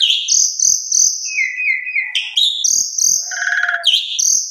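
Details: Jalak suren, the Asian pied starling, singing a lure phrase meant to spur other birds: long, clear high whistles repeated, a falling run of lower notes, then a rapid stuttering sequence and more whistles.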